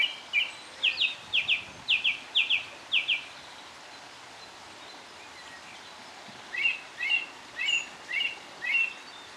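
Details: Song thrush singing on a dreary winter's morning at Cherry Hinton Hall: a bright, fluty phrase five or six times in quick succession, a pause, then a new phrase repeated about five times.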